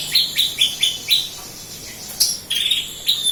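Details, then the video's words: Horsfield's bush lark, a local bird from Kediri, Java, singing actively: short bright chirps and slurred notes in quick bursts, roughly four per second, then a pause and more sharp rising notes. "Branjagan gacor lokal kediri"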